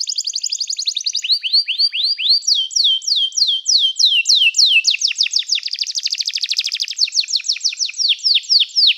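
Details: Canary song for training, a continuous rapid series of sharp descending whistled sweeps, repeated about three times per second with slight changes in pitch and tempo.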